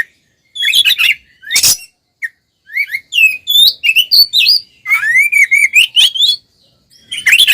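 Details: Fighting 'tarung' song of an oriental magpie-robin, meant to provoke other males: scratchy notes and short whistles, then long rapid runs of sharp rising whistles, closing with a harsh burst.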